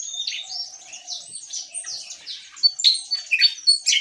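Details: Javan tesia song in ngeplong style. Soft high whistles and slurred notes at first, then loud, sharp, rapid chips and trills over the last second and a half, above a faint low hum.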